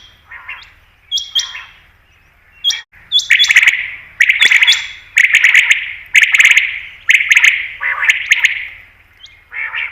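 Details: Common quail call for hunting, local name batair: a few soft notes at first, then loud rasping bursts repeated about once a second with clicks and short high tones.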